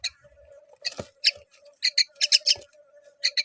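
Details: Myna mother feeding fig to her babies; scattered short rasping squawks over a steady low mechanical hum, with a soft thump in between.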